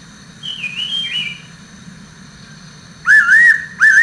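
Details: A higher bird gives a brief gliding whistle that drops in pitch, then the fairy pitta answers with two loud, looping whistled phrases over a constant low background hum.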